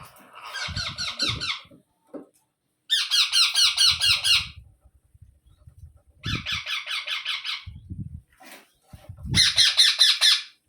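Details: Indian ringneck parrot babies begging as a parent feeds them: four bursts of rapid, harsh, rasping pulses, each lasting one to two seconds, with low knocking and shuffling sounds between bursts.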